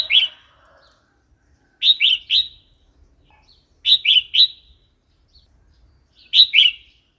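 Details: Red-whiskered bulbul singing a wild-style song, played to stimulate new and wild-caught birds or teach young ones: short bursts of three bright, bubbly warbled notes repeated about every two seconds in silence.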